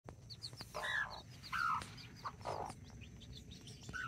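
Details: Backyard chickens in Colombia, nine chicks with two mother hens, including four mini chickens and five Brahma chicks, October 24, 2024; quiet bursts of short chirping and soft clucking notes over a rapid series of faint high peeps, with low background rumble.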